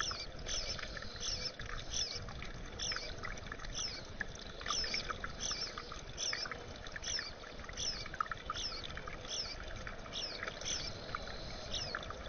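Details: Bluebirds in a backyard, where the parents brought their young to be fed, give short, high, down-slurred chips about twice a second over a steady rushing background like wind or water.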